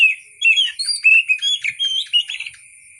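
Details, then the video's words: Oriental magpie-robin singing a natural, wild-style song: a quick run of varied chirps, short whistles and squeaky notes in bursts lasting about three seconds, with a steady faint high hiss behind. "KICAU BURUNG KACER SUARA ASLI KAYAK DI ALAM LIAR"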